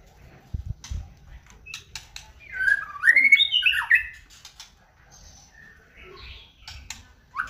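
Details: Pet white-rumped shama singing, recorded as a lure to provoke another bird: low rumbling thumps at first, then a rich burst of slurred rising and falling whistles, followed by scattered softer notes and a final upward whistle.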